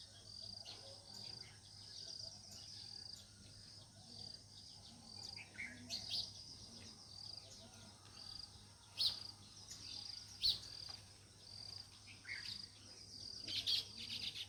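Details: Natural sparrows chirping: repeated short bright chirps, irregular and overlapping, several louder sharp notes near the end, over a steady low hum and faint background noise.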